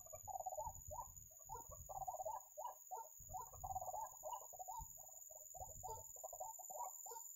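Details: White-breasted waterhen (ruak-ruak) calling at a trapping site. Irregular clusters of short croaking notes are separated by brief pauses, with intermittent low rumbling between them.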